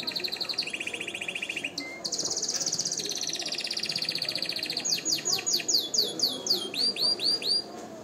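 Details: Canary song played for song training and to stimulate females to mate: a fast buzzy trill, a high sustained rolling tour, then a series of loud descending swooping whistles, over steady background hiss.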